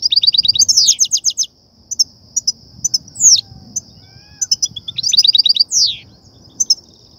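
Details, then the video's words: European goldfinch singing batbata and satsata song, a lure to excite goldfinches for netting: a rapid string of repeated notes into a falling slur, scattered chirps, then another fast trill and a swooping note. "افضل بتبتة وستستة لتهييج و صيد الحسون"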